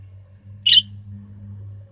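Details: A young budgerigar, being tamed, gives one short, bright, high chirp with a slightly buzzy edge, over a steady low electrical hum.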